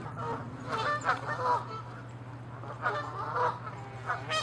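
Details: Canada geese fighting and honking, chasing in territorial aggression; two bursts of harsh nasal honks with wavering tones, separated by a short lull, over a low hum.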